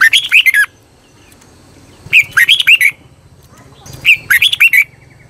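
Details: Red-whiskered bulbul decoy song used to call wild birds and train captive bulbuls: three bursts of loud, quick rising-and-falling whistled phrases, each about half a second, with quiet low hum between.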